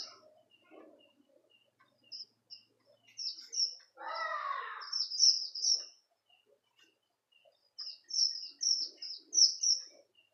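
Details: Strawberry finch, a caged songbird kept for training other birds, giving scattered high chirps that build into rapid bright phrases, with one harsh broad squawk in the middle.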